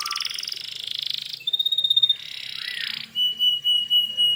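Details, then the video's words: Hard-singing canary, song used as a lure so other canaries reply: fast buzzy trill, a bright pulsed whistle, another rasping roll with a low slur, then a steady lower whistle in loud beats. "suara burung kenari gacor ini paling ampuh untuk pancingan kenari agar Nyaut emosi"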